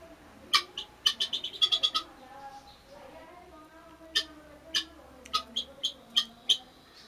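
A guinea hen gives harsh, grating calls, first a quick rattling run of about eight notes, then single loud rasps every half second or so. A faint low murmur runs underneath.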